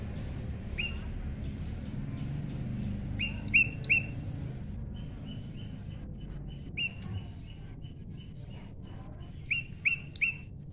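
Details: Prinia pairing naturally, tame, giving quick bursts of thin, rapid chirps, steady in pitch and some in short clusters, separated by pauses, with a constant faint high hiss and low rumble.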